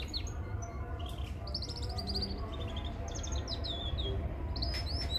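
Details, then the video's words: Mosaic canaries singing for training young birds, with quick rattling trills and short rising whistles layered together, and a constant low droning hum underneath. "Canary Singing Full training vedio"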